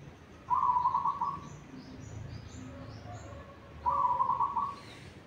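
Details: Pre-dawn song of a local zebra dove from Tuban, Indonesia, heard at about three o'clock and recorded as a lure; two fast trilled coo phrases roughly three seconds apart, with faint softer notes between and steady low rumble.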